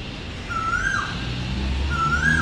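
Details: Asian koel calling on a cloudy summer day, owner suspects a female calling her mate: two clear, mid-pitched whistled notes about a second and a half apart, each swelling slightly, over a steady low rumble.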